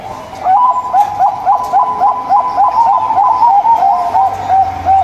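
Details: Zebra dove of a local strain, singing to stir quiet doves into song: a quick train of short, rolling coo notes, each slightly upswept, about three to four per second, over a low background hum.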